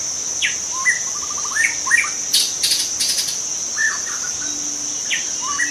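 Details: A young white-rumped shama in forest sings sharp whistles and a rapid rattling trill, interrupted by loud buzzing insect bursts, with a steady high insect drone throughout.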